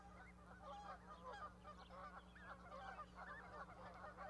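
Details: Parent goose with goslings on a raised nest platform in Charlo, Montana, May 12, 2020. Continuous jumbled honks and short curving calls overlap throughout, with a steady background hum.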